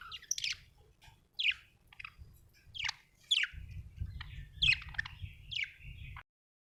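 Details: Budgie repeating sharp downward-swept chirps about once a second, interspersed with softer scratchy notes, with a low hum rising behind the later calls.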